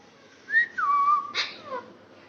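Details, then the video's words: Hand-tamed male green rose-ringed parakeet talking indoors: a whistled, speech-like phrase with smooth gliding pitch, a short bright note followed by a longer level tone, then a brief harsh burst and a falling whistle. "Green Ring Neck Parrot Male Talking"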